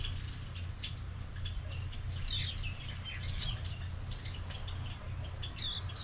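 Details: Japanese white-eye, known as Mejiro, in a Maui yard at mango season time; thin high chirps, a brief twittering cluster midway and another chirp near the end, set against a continuous low hum.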